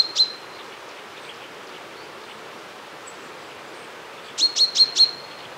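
Common chaffinch giving sharp, high, metallic call notes: one alone, then a quick run of four after a pause. Steady background hiss throughout.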